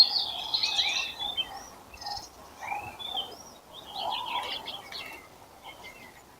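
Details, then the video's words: Several wild birds gradually starting to sing in April: varied short whistled phrases, chirps and twittering notes from more than one bird, heard over a steady outdoor background hiss. "Апрель: птицы потихоньку распеваются"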